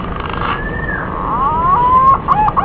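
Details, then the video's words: A green pigeon call for luring birds while hunting: soft whistles build into a long, level, clear note, then break into short, choppy whistled fragments, all over background hiss. "SUARA BURUNG PUNAI PIKAT PALING JITU"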